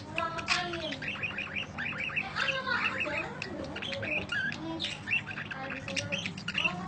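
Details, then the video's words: Budgerigar giving long chirping used as masteran training audio: dense, continuous warbling chatter of overlapping high chirps, short squawks and whistled notes with no clear pauses. "Kicau Panjang Parkit Masteran"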